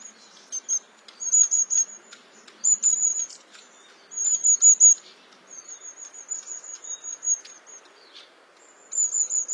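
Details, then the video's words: Long-tailed tit giving very high, thin trilled notes in short bursts every second or two, with fainter soft chips between them. "Beautiful Singing Long-tailed Tit"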